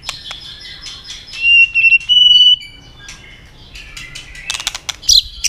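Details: White-rumped shama stimulated into fight-singing: scattered high chirps, then two long steady whistled notes, followed by sharp clicks and a burst of quick high notes near the end.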